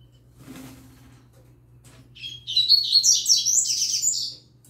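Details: A young yellow-bellied seedeater sings alongside a green-winged saltator. After a soft thump and a quiet pause, it breaks into a rapid, high, warbling chatter with scratchy buzzes that lasts about two seconds. A faint hum continues throughout.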